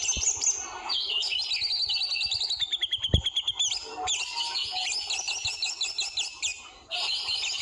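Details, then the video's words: White-rumped shama in the forest giving trotol song: rich warbled whistles, then a fast rattling trill of evenly spaced notes, followed by bright, high, varied phrases and a brief silence near the end. "Suara burung di hutan trotol murai batu"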